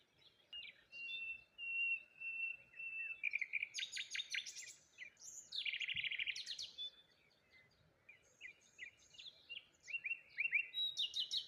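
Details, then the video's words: Cheerful morning chirping of wild birds at a waterside lone tree: a long even whistle leads into loud rattling trills and busy twittering, with chirp bursts recurring through nearly twelve seconds. "Morning Birds Sounds"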